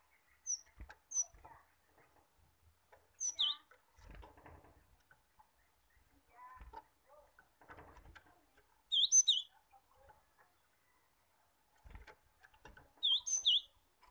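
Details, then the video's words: Cinereous tit song used as a lure to make caged birds sing: short high sweeping notes repeated in bursts a few seconds apart, with faint low scratchy chatter and soft background noise between phrases. "pancingan gelatik batu agar gelatik bahan cepat gacor dan ngerol"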